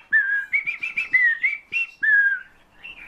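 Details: Caged Eurasian bullfinch taught to sing by its owner, copying the owner's whistling, as well as nightingale and thrush phrases. Loud, clear, pure whistled notes, some level and some gently rising or falling, run close together in a short melodic string.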